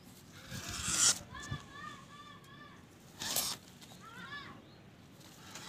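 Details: A kept black francolin gives groups of short, harsh, ringing notes in quick bursts. Loud rustling bursts and faint voices can be heard in the background.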